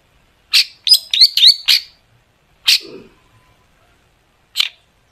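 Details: Long-tailed shrike sound meant to prompt other shrikes into song: a quick run of harsh, clipped notes and short whistles, followed by isolated rasping calls spaced about two seconds apart.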